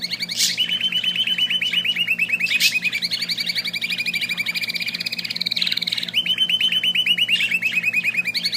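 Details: Sustained rapid trilling from a small singing bird, high and buzzy, pulsing many times a second almost without pause, broken by a couple of sharp high notes.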